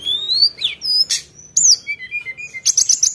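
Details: Sunda bush warbler in full song with sharp 'nembak' phrases: long rising whistles, squeaky high notes and a quick series of short descending chirps, delivered in loud, irregular bursts.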